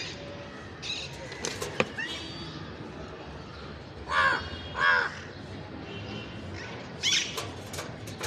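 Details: Ringneck parrot calling in a few harsh, grating squawks: two close together, then a brighter, higher screech after a pause, with soft clicks and background hiss between calls.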